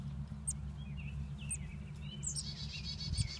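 Chickadee chicks give thin, high chips and a brief buzzy, wavering chorus over a steady low rumble of background noise.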